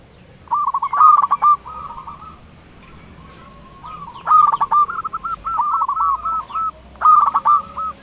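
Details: Zebra dove, local Indonesian perkutut, singing to draw out rival birds: three bursts of fast stuttered cooing notes, each phrase about one to two seconds, separated by quiet gaps.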